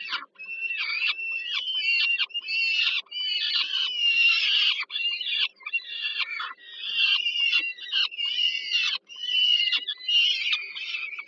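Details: Peregrine falcon chicks begging while their mother feeds them at supper, Żerań power plant, Warsaw, Poland, 15 July 2022: harsh, wheezy, raspy screams in near-continuous bursts separated by brief gaps, over a faint steady low hum.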